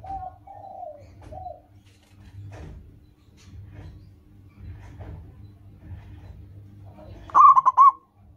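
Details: Local zebra dove, a lively singer, used as a lure to get caged doves singing quickly: soft, falling coos early on, then a loud, rapid stuttering coo burst near the end over a low hum.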